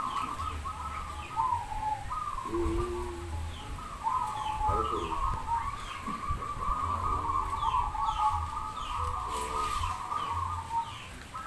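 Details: Several zebra doves sing together at a dove singing contest in Demak, Semarang, organised by a local keepers' community; a dense, unbroken chorus of coos, with crowd murmur and occasional speech underneath.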